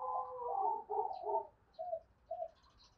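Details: Faint, more distant spotted dove cooing, used to lure wild doves: soft, smeared coo notes followed by two short separate hoots over a low background hiss.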